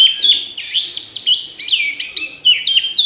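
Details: Orange-headed thrush singing continuously: loud looping whistles sweeping up and down, delivered in quick succession without pause.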